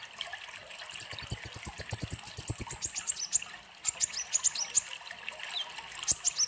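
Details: Sunbird singing a rapid series of sharp, very high ticking notes that run into a long trill, then scattered high whistled chirps, over soft trickling water.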